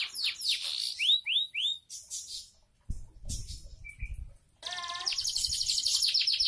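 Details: Canary singing steadily gives quick high slurred notes, then falls quiet amid a few thumps and low rumbles, then resumes with a rolling, buzzy trill.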